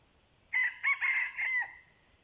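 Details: Red junglefowl crow while wild birds are being decoyed. One hoarse crow is split into four bursts, rising and ending in a sustained, slightly falling final note, over a quiet hissing background.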